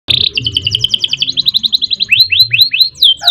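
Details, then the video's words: Canary song given as a training recording for other caged birds, in the long rolling style: a loud fast trill of repeated notes, then a row of descending swooping whistles, with a low hum behind. "Kenari Gacor Panjang Ngerek Ngerol Nembak"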